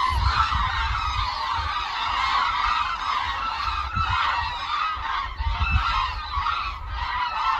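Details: Hooded cranes in flight over their wintering wetland at Suncheon Bay, South Korea. Many cranes give dense, overlapping bugling honks, with gusts of low wind rumble underneath.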